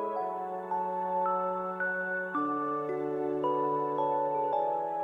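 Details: Gentle chiming mallet-instrument music with slow sustained notes over a low drone, with no animal sounds.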